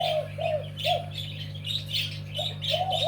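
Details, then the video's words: Zebra dove singing a pair-style song, with short arched cooing notes repeated roughly every half second. Higher chirps from other small birds sound above it, and a steady low electrical hum runs underneath. "นกเขาชวาเสียง คู่"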